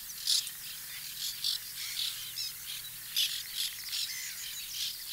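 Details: White-winged terns at a nesting colony in 2021, giving harsh, high, scratchy calls in short bursts that overlap irregularly from several birds, about one burst per second, over a steady high hiss.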